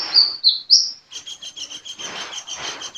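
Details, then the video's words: A few sharp, high whistled notes from a vigorously singing sunbird, then a fast, even, buzzy trill of rapidly repeated ticking notes that runs on steadily. "Burung kolibri gacor"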